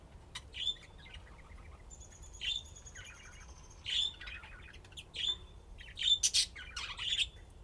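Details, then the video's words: Budgerigars at play, chirping and twittering in short bright bursts every second or so, with a thin sustained whistle partway through. "طيور الحب لعب وزقزقة"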